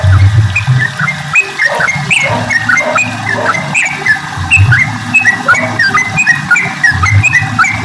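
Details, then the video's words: Energetic sooty-headed bulbul song at morning: cheerful, chattering whistled notes in quick bursts with rising and falling slurs, continuing throughout, accompanied by a heavy low humming drone in the background. "kicau trucuk gacorr dipagi hari"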